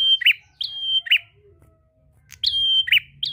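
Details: Prenjak, a prinia, calling a rival: bright high chipping notes with upswept flicks, given in two short bursts separated by a brief pause over faint low background noise.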